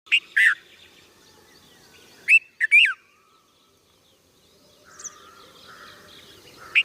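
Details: Juvenile red-vented bulbul calling: short loud chirping notes with rising and falling inflections, a pair near the start and a cluster of three around two and a half seconds, with quieter chatter and a brief higher note later.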